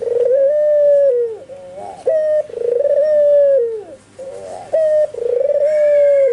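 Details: Albino white barbary dove calling constantly, with spotted doves and zebra doves nearby said to answer its call; low, drawn-out mellow coos in three long phrases, each separated by short rolling, wavering notes, in a small indoor space.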